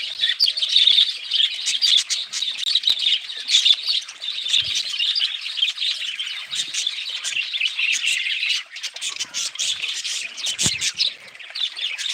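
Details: Many budgerigars calling together in a steady high chatter of chirps and warbled twitters, a few sharper squeaks standing out near the start, soft rustles and wing flutters underneath.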